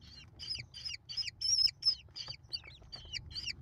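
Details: American kestrel chicks, five in the brood, fed by their mother on 28 May 2021, call in shrill hoarse repeated notes roughly three per second, each bending sharply downward.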